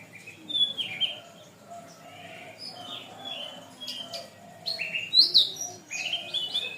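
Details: Canary on a long masteran training recording: scattered whistled and buzzy notes, some rising and falling, with a louder chirping burst near the end and soft low warbling in the background.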